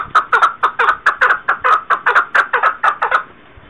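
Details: Chukar partridge, 2021, in a quick, loud series of raspy chuck notes, some paired, about four each second, ending suddenly and leaving quiet background.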